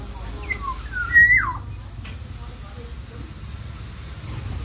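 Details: A captive Black-naped Oriole in a mini aviary, singing actively, gives a brief fluting phrase of two or three mellow whistles that slur downward, over a steady low rumble of background noise.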